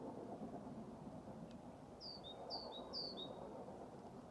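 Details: At Lindgården retirement home in Haga, 21 February 2023, a great tit sings hard: three crisp two-note phrases, high note sliding to a lower whistle, after a faint click, over a broad low background hum.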